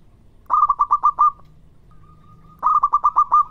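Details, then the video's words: Zebra dove, local variety, in lively lure song meant to prompt answering calls; two rapid rolling phrases of six or so coos each, linked by a soft, steady hum. "Suara burung Perkutut Lokal Gacor yang bikin cepat nyaut"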